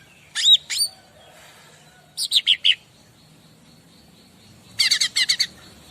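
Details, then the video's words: Bar-winged prinia singing as a master song for other birds to respond to: a pair of upswept high notes, then two clipped bursts of four to six rapid chips with quiet gaps between them. "Burung Apapun Pasti Nyaut Masteran Cica Ranting"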